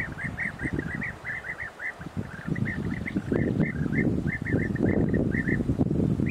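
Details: European bee-eaters (Merops apiaster) in Cyprus give a steady stream of short, liquid, rolling 'prrip' notes, several birds overlapping, over a low rumble of wind or distant traffic.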